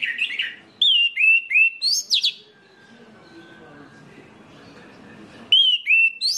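Orange-headed thrush singing loud, clear whistled phrases with quick falling notes, delivered in a burst, then a pause with faint background, then another burst.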